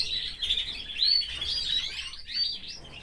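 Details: Canary kept in a cage with its family, giving a soft, jumbled twittering warble with a few thin rising whistles, fairly quiet against a faint room background.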